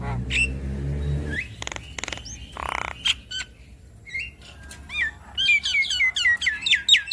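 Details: Asian pied starling song for a stressed bird: scattered clicks and a harsh rasp, then a lively, rapid series of chirping whistled notes building in loudness toward the end.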